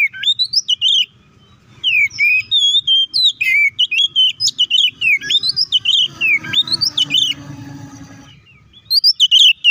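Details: White-rumped shama fighting song used to provoke other shamas: quick chains of whistled upslurs and varied notes, with a section of murmured low background noise near the end before the whistling returns.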